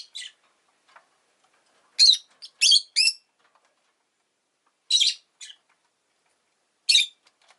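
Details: A rosy-faced lovebird calls in bright, rasping chirps, a rapid run of three near the start followed by scattered single and paired notes, with silence between.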